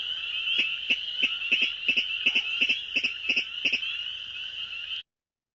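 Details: A Virginia Rail in a wetland gives its sharp, clicking "tick-it" call, cricket-like, about three notes per second and often paired, over a steady high trilling chorus of spring peepers.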